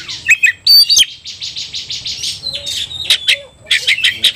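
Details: Aggressive Oriental magpie-robin stirred up to fight, its plumage flared, singing a rapid jumble of bright whistles and scratchy buzzes with short pauses, a faint low tone in the background.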